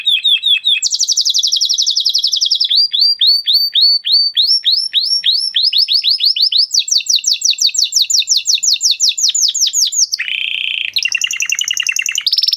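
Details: Male canary in breeding excitement pours out an unbroken run of rapid trills: tours of quick repeated notes that rise and fall in pitch, a very high fast roll, then a lower buzzy burst before the trilling resumes.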